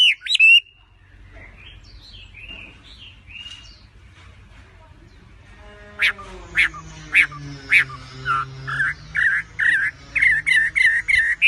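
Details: Chinese hwamei, a bird native to China, gives a few whistled phrases, falls quiet, then resumes with sharp repeated notes and a run of wavy whistles. A faint low tone sounds in the background.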